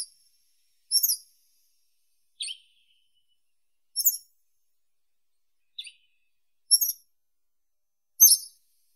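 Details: Western yellow wagtail singing a series of short, high chirped notes, roughly one every second or two, alternating sharp double-toned chirps with slightly lower slurred notes, against a quiet background.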